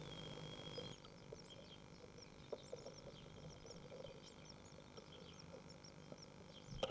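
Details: Great tit chicks on their first day after hatching give faint, thin, high begging peeps in scattered bursts over a steady low hum and rumble.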